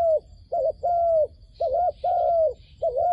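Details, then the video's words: Doves called toward a trap with lure calls: alternating short warbled notes and long even coos at mid pitch, regularly spaced, with a thin high hum in the background. "ឱ្យតែជួបលលកព្រៃ ធ្នាក់ហៅបរសឹងដាច់ខ្យល់"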